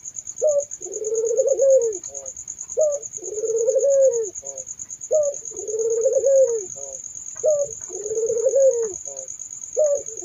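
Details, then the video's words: Barbary dove cooing in regular series: a short emphatic note, then a long vibrating coo ending in a small downward flick, repeated about every two and a half seconds over a steady high tone. "kolaborasi suara burung puter merdu syahdu"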